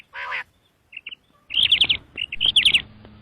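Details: Common quail calling: a brief harsh burst, then rapid quavering high whistled notes in quick runs of three to four, followed by a second similar run.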